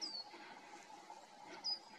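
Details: Coal tit on a fir on a warm, calm, sunny 24 September morning, tearing at a fir cone while foraging; two thin, very high call notes, the first slurring slightly downward, about 1.5 seconds apart, over steady hum.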